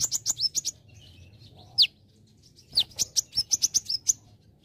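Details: Singing olive-backed sunbird (kolibri ninja) in a training song with celilin phrases. Bright high chips in quick bursts, a pause, one loud downslurred whistle, then another run of rapid chirps. A low steady hum sits underneath.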